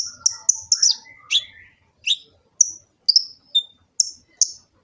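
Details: Sunbird (kolibri ninja) recorded on an Android phone in Gresik, East Java, used as a master song for training captive birds: sharp, very high chips and short descending whistles, irregularly spaced, some rapid doublets, over a faint low hum.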